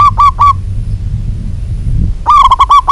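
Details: Local zebra dove female calling a male: loud, clipped cooing, a short series of rapid rolling notes, a pause, then a longer run of six quick trilled coos, over a low background hum.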